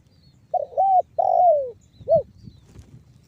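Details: Spotted dove lure bird, banggo bocor style, from Cirebon Utara in West Java, used so other doves call quickly. A single mellow phrase: a hesitant double coo, a longer falling coo, then a brief rounded note after a short pause.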